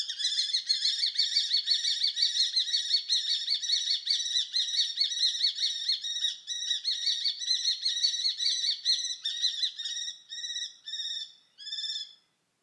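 A common kestrel gives a rapid, shrill string of sharp kee-kee-kee notes, about three per second, slowing and breaking into shorter bursts at the end.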